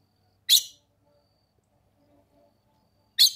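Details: Female red-cowled cardinal in summer in the Brazilian sertão caatinga, calling to stimulate the male: two sharp, harsh, high chips separated by nearly three seconds of near silence, with faint low sounds between.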